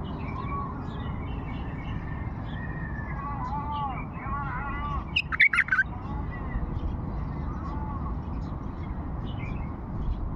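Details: An old Fawi bulbul sings: a short loud burst of bright, clipped whistled notes midway, with softer arched warbling phrases before and after, all over a steady low rumbling background hiss.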